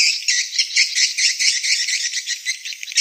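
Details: Swiftlets giving a mating call: rapid, high, buzzy twittering notes running together in an uneven but constant chatter.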